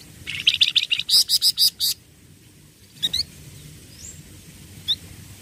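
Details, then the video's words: A group of flamboyan songbirds kept together: a fast run of bright, high chirps lasting over a second, then scattered single chirps and one soft rising whistle, over a faint low rumble. "100% FLAMBOYAN OMBYOKAN LANGSUNG BUNYI"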